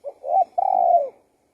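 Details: One song phrase of a spotted dove: a soft short note, a rising coo, then a long even coo that droops at the end. Clear and close, with no other sound.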